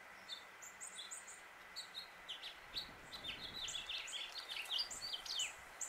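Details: Male House Finch singing and chirping in Suffolk, Virginia, USA: busy, jumbled bursts of high twittering notes building into a rapid warble, over a steady low hum.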